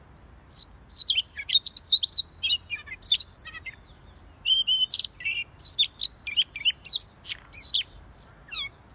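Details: Siberian rubythroat in full energetic song (gacor): a continuous run of high, varied warbled phrases with quick rising and falling whistles and scratchy notes, tightly packed across nine seconds.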